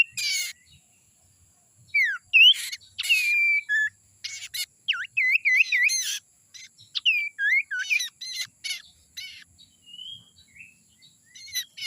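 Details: A young sirtu from the forest, used to lure other birds, gives lively chattering bursts of looping whistled notes and high buzzy chirps, phrases tumbling one after another over a faint steady hiss.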